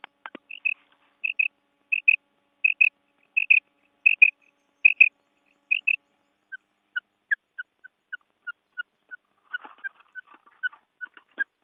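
A female quail gives high, paired chirping notes about once every second, then shifts to single lower, softer notes. The recording is otherwise quiet.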